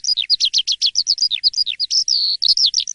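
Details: Asian pied starling singing in the morning, loud and constant: a fast run of high, sharply slurred whistles and chattering notes, many dropping in pitch, with one longer level whistle near the end and barely a pause throughout.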